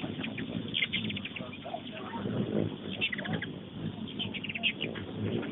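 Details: Busy feeder outside a kitchen window mobbed by hummingbirds: bright, rapid chip bursts around the first and third seconds and again near the end, while indoor voices murmur in the background.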